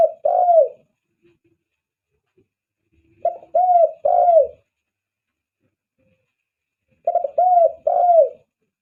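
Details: Spotted dove call used as a lure for attracting doves; phrases of three to four low, arched coos near 600–700, each phrase roughly one second long, repeated about every three to four seconds, with silence between.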